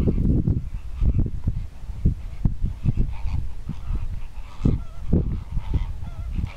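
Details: Greater flamingo displaying, giving deep, goose-like honks in rapid irregular bursts, with overlapping calls suggesting several birds honking at once.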